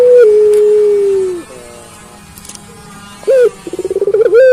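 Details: Puter pelung dove, a caged bird that calls constantly: a long level coo fades downward. After a quiet gap comes a short rising note, then a fast stuttering roll building into the next coo.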